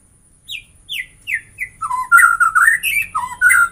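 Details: White-rumped shama song that starts with four spaced, descending whistled notes, then turns into a loud, fast stream of varied fluty and harsh phrases.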